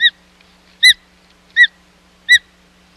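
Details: Osprey calling at the Hog Island nest, 25 July 2020, as a second fish delivery fails: four loud piercing whistled chirps spaced about three quarters of a second apart, with a steady low hum behind.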